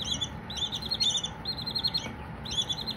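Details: Baby Silkie chickens give strong, rolling runs of high peeps, several quick pulses each, one chick over another, nearly continuous, against a faint low hum.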